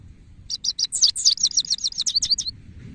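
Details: A male goldfinch sings a lively two-second phrase: a few separate high chips, then a rapid, tinkling run of rising and falling twittered notes, over soft low background noise.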